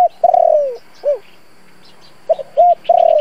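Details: Decoy spotted dove calling to draw wild doves; a drawn-out falling coo and a short hoot, then a new phrase of clipped notes leading into another long coo, with faint high chirps of another bird.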